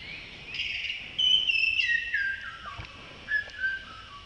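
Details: Male blue-throated blue flycatcher at Tashiding, Sikkim, India, in May 2018: a sweet whistled phrase starting high, then sliding down in a series of falling notes, with a short lower trill near the end.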